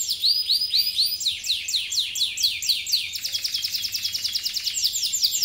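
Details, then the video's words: A yellow canary sings continuously. Looping high whistled slurs about two per second give way to a quicker run of sharp downward chips and rolling trills, all bright and high-pitched. "kenari gacor kuning very nice 2"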